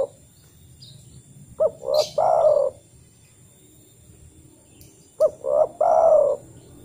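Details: Spotted dove calling, played to prompt another dove to answer; wild birds use it to call others. Two clear phrases some three and a half seconds apart, each made of a quick hoot, a swelling coo and a prolonged, slowly dropping coo.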